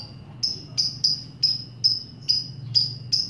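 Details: Lovebird kept for song training, recorded as a master track to provoke other lovebirds into long ngekek singing; short sharp high chirps repeated about every half second, eight in a row, over a low steady hum.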